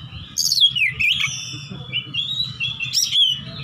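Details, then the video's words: Combative Oriental magpie-robin looking for a rival, singing ngeplong: a descending whistled slur, then long level whistles and a rising sweep, with a persistent low hum beneath. "kacer petarung cari lawan//ngeplong-ngeplong"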